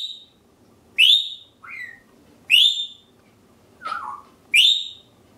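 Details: African grey parrot at home producing a string of loud whistles: piercing upswept notes alternating with lower slurred whistles and a harsh descending squawk, roughly one call every second, steady indoor hum behind.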